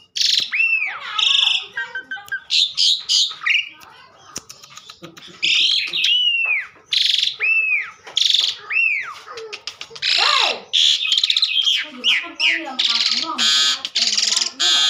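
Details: Long, busy song from an Asian pied starling singing hard, mixing arched whistled notes, harsh rasping bursts, clicks and rattles almost without pause, with a lower warbling passage near the end.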